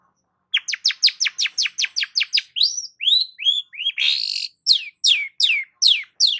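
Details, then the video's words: Long-tailed shrike in lively song, used to stimulate stressed shrikes: a fast run of short falling notes, then varied rising and bending whistles and a harsh burst, ending with slower downward sweeps. "BURUNG CENDET GACOR PALING AMPUH UNTUK PANCINGAN CENDET STRES"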